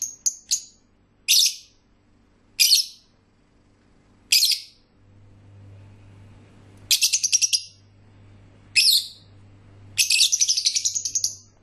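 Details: Lovebirds singing, giving short bursts of sharp, high chirps and rapid twittering spaced irregularly, with a longer chattering run near the end and a low steady hum between bursts.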